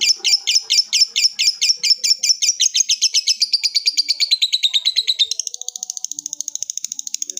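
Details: Lovebird producing a long ngekek trill to call a rival: a rapid chatter of piercing notes that accelerates and drops slightly in pitch, then turns into a thinner, faster high rattle.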